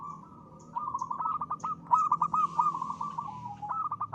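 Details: Zebra dove of local stock, a lively singer, delivering its crisp lure song for stimulating other birds. A rising stream of fast, clipped coos forms a long rolling trill, with short gaps between phrases.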